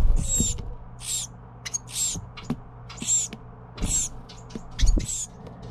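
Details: Young Carolina wren begging during feeding by its parents: loud, drawn-out rasping hisses repeated roughly every second, interspersed with short ticks and several deep thumping knocks close by.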